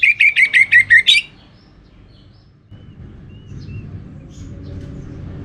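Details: Pancingan lure song of an orange-headed thrush: about seven bright, pulsing whistles delivered rapidly in just over a second, then near silence with low rumbling noise.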